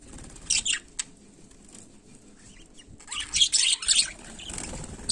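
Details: Budgerigar (Melopsittacus undulatus) giving scattered short, scratchy high chirps, a few at first, then a denser chattering run after a quiet gap.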